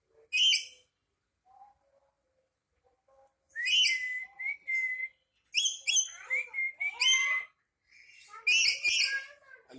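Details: Angry black-capped lory mixing harsh rasping screeches with clear, flat whistled notes and short squeaky slides, delivered in irregular clusters with pauses between.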